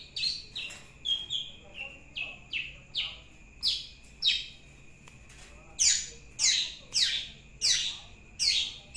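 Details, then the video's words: Young long-tailed shrike gives a series of harsh, downslurred rasping notes about every half second, growing louder and higher toward the end, over a steady faint hum. "cendet paud"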